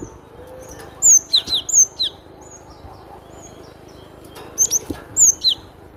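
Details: Cinereous tit, glatik batu, giving its crisp song: two bursts of high, sharp whistled notes sliding downward in quick succession, separated by about three seconds of quiet, over a faint steady background hiss.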